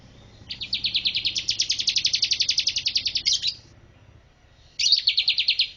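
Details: Bar-winged prinia singing as a master bird: a sustained three-second trill of rapid high chirps, then silence and a second short burst, with faint low background noise.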